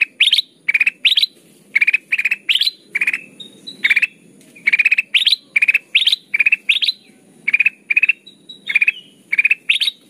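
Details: Lure song of the kutilang emas, a golden bulbul, for bird trapping, described as chatty and crystal-voiced. Steady run of short clustered chirp bursts, alternating mid and higher-pitched groups, repeated roughly twice a second, faint hum behind.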